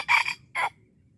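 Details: In Darul Kamal, Aceh, a red junglefowl being lured gives two short, loud, coarse squawking notes, a longer one then a brief one, followed by near silence with faint low background hum.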